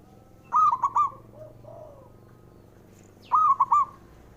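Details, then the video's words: Male zebra dove calling, used to stir reluctant doves into singing: two bright, stuttering cooing phrases about three seconds apart, each a quick burst of rolling notes, with a soft lower cooing between them. "JENIS SUARANYA🔊 PALING BANYAK DI CARI UNTUK PENDOBRAK PERKUTUT MALAS BUNYI"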